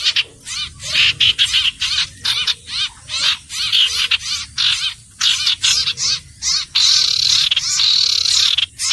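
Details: Repeated bursts of buzzy, chirping song from a common iora, phrases roughly every half second, closing with longer rolling trills.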